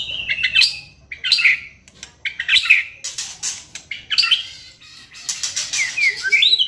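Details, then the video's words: White-rumped shama song used as a lure to provoke singing, a busy run of high, buzzy, chattering phrases with short whistles, broken by brief pauses. "pancingan MURAI BATU agar GACOR dan LANGSUNG EMOSI bongkar isian"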